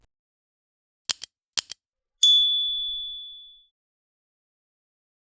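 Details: Two pairs of sharp metallic clicks, then a bright bell-like ding that rings out and fades over about a second and a half, with silence around them and no animal.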